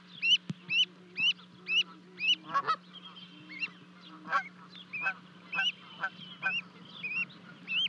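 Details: At a Charlo, Montana osprey nest on 12 May 2020, two Canada goose goslings leap 30 feet down to their parents; a livecam catches high, upslurred whistled peeps in quick series, some harsher honks among them, and a steady background hum.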